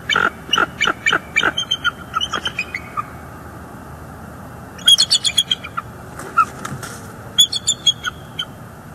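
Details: Bald eagles at a northeast Florida nest live cam in December, an adult chasing off juveniles; bursts of sharp high chirping notes in quick series, then pauses and further shrill chattering runs.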